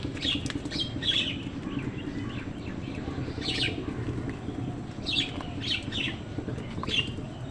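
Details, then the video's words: Crows squabbling with wild birds over food: harsh, raspy squawks in short bursts every second or so, several birds calling irregularly over a steady low rumble of background noise. "কাকের ডাক crow sound"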